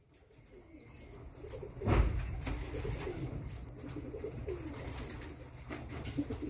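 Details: Mother racing homer pigeon in a small indoor room gives soft, low, faint cooing phrases, with a sharp knock near the start and scattered clicks and shuffling.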